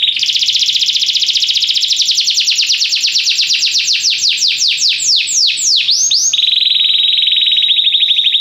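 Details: Belgian canary singing during song training: a loud high rapid trill held for several seconds, breaking into a series of slurred descending whistled notes, then a steady fast buzzy trill to the end.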